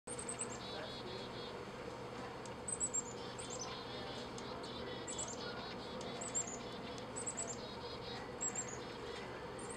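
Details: On a windy Christmas morning, chickadees scold a Merlin with bursts of high, thin, slightly descending notes every second or two, some with lower buzzy parts, over steady wind noise; juncos also scold.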